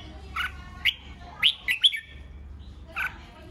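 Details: Red-whiskered bulbul in provoking contest song aimed at rivals: a few loud, slurred whistles and sharp chirps in quick succession, followed by a lone whistled note about a second later, with soft low hum behind.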